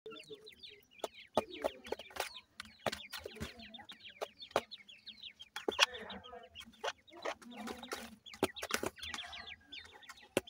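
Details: Newly hatched teetar (francolin) chicks raised in captivity at feeding time: many overlapping high, thin peeps that slide downward, chirped rapidly without pause, mixed with sharp dry taps and clicks throughout.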